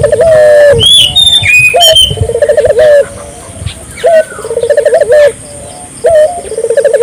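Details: Barbary dove calling repeatedly to stimulate local doves: three phrases of a clipped note, a fast pulsing trill and a drawn-out coo, separated by short pauses; scattered high chirps and twitters from other birds.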